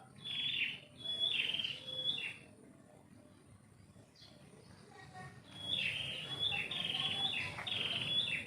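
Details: Morning birdsong from a yard tree beside a house: clusters of sharp, high chirps, a quieter pause of about three seconds midway, then a renewed run of rapid twittering over soft background hum.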